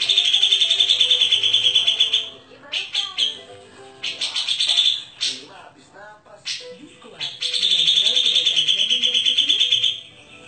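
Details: Grey-cheeked bulbul in lively, vigorous song in the dense rapid-fire style called tembakan rapet. Long high buzzing trills of rapid pulsed notes last about two seconds, alternating with lower warbled and slurred notes.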